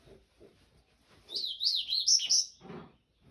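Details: Double-collared seedeater, song known as 'canto do rio': soft knocking sounds lead into a loud, jumbled, warbling burst of tumbling high notes lasting about a second, followed by a low thump.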